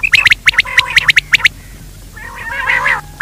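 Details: Quail sound used in daytime to draw quail in: a fast run of sharp raspy clicks, then a drawn-out wavering nasal rattle, ending with a single tick.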